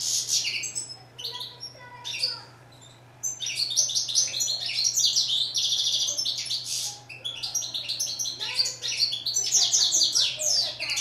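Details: European goldfinch, called steyla in Morocco, sings in long energetic bursts of high, rapid twitters and buzzy trills separated by short pauses, over a constant low electrical hum.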